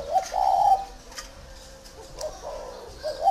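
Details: Spotted dove, a large, tame bird at a dove farm in Ba Vì, Vietnam, giving clear mellow coos, a short hiccup note then a sustained rolling coo, repeated twice with quiet gaps.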